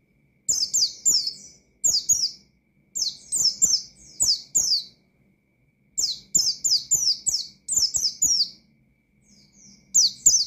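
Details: Pleci singing to provoke other birds: regular phrases of rapid, high, sharply falling chirps, four to six notes per burst, repeated roughly every second or two across the recording.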